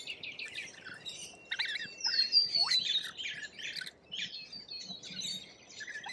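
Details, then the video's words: A flock of lorikeets in Australia: rapid scratchy chirps and screeches, sharp rising squeals, and a drawn-out high whistled note among the chatter. "Australian wildlife Lorikeet"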